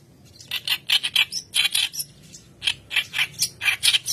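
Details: White-browed reed warbler in full, persistent song, used as a lure recording for training birds: harsh, raspy chattering notes in irregular bursts, about five quick notes, a pause, then a longer run of scratchy phrases.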